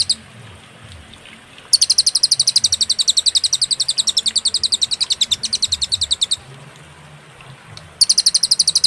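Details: Cililin singing for a songbird-training master recording, clear with pauses: a long, rapid run of high metallic chips lasting over four seconds, a gap, then another burst starting, with a soft low background hum.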